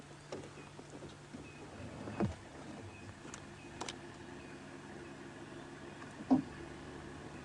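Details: A steady low engine idle hums during a sunset safari drive, with a few faint clicks and knocks and no animal calls.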